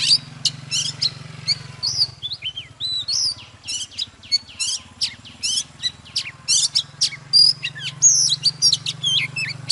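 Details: Mature wild-caught Oriental magpie-robin in full song while displaying: rapid, rich whistled phrases, twisting slurs and crisp chips packed closely together, over a steady low hum in the background.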